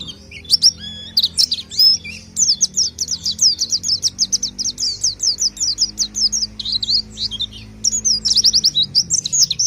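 An orange-headed thrush sings a fast, unbroken stream of sweet, varied whistles and sharp trills, with rapid repeated phrases and a faint low hum underneath.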